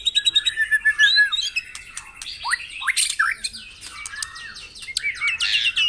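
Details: White-rumped shama song for morning dewing of caged birds, meant to prompt them to sing: rapid runs of sharp chirps, then a varied stream of whistled slides, harsh notes and clicks, dense and overlapping, at times like several birds.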